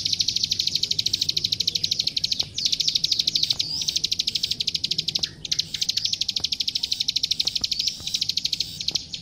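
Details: Klik klik, or plain prinia, singing steadily on a master training recording: long series of rapid, sharp, high-pitched ticks, broken every second or two by short breaks, with a faint low background murmur.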